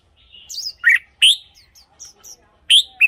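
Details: Red-whiskered bulbul song, played to excite caged bulbuls or for decoy use: short, bright, warbling phrases with rising and falling notes, separated by brief pauses, plus a few faint, high chirps between them.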